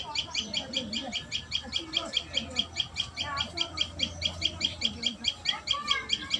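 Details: Common tailorbird at the nest uttering a continuous series of sharp high chirps, two to three per second, with softer lower warbling sounds and low hum beneath.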